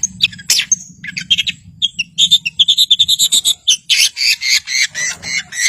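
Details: Long-tailed shrike delivering a provoking song meant to rouse silent birds. Varied scratchy phrases build into a quick run of sharp repeated notes, then loud buzzy rasps, with a faint low hum beneath.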